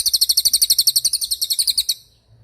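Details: Cililin trill for tutoring songbirds: a short, very high, buzzy series of fast repeated notes, about eight per second, ending after two seconds.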